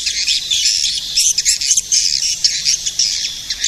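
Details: Edible-nest swiftlet calls used to attract swiftlets: dense, overlapping high chirps and twitters that rise and fall steadily, with a few brighter notes standing out, and no other sounds.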